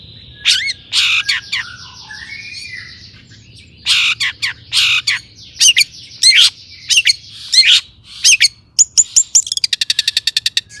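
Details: Long-tailed shrike singing as a lure to stir other shrikes: scattered harsh squawks and sharp chirps in irregular bursts, a few thin whistled slurs between them, ending in a fast, even series of clicking ticks.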